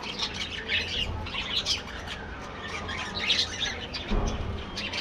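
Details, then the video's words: An aviary colony of budgerigars gives busy overlapping chirps and short warbles in bursts, with a brief low thump near the end and steady background hum. "budgies bird"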